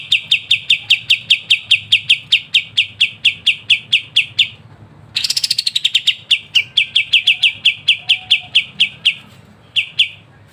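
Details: Crisp ngebren song of a kapas tembak used as training master for songbirds: long runs of rapid sharp high chips, broken by a dense buzzy rattle that rises and falls, then more chips ending in isolated notes.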